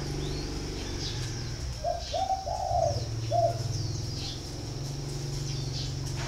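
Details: Captive spotted dove at a bird farm in Ba Vi, Hanoi, Vietnam, giving one phrase of low coos: two short notes, a longer swelling coo, then a final short one, with a low hum and faint high chirps behind.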